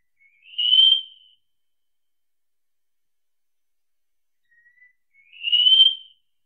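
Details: Two long, high, thin whistles from a wallcreeper, each sliding slightly upward, spaced about five seconds apart with silence between.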